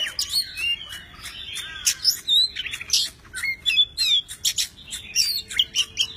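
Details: Oriental magpie-robin, kept tame, sings and dances with fanned tail and wings. Short bursts of bright whistles and buzzy chips come in quick clusters, separated by brief gaps.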